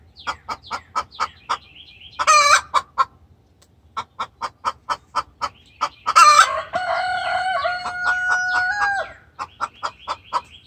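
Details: Hen giving an extremely vocal distress call to the rooster: rapid repeated clucks around two per second, broken by loud harsh squawks and a long drawn-out wavering cry near the middle.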